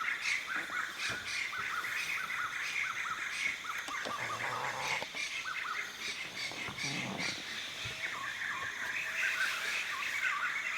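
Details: In the evening near grassland in a jungle, before it settles for the night, laughingthrushes give a busy, unbroken chorus of squeaky chattering and whistled notes. Spotted doves and other birds call in the background, and low human voices come in briefly.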